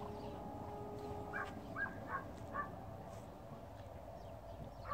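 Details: Muscovy ducks (Cairina moschata) at a breeding farm, chatting just before the first snow, give short, soft, mid-pitched calls, about four in quick succession, over a steady low rumble of background noise.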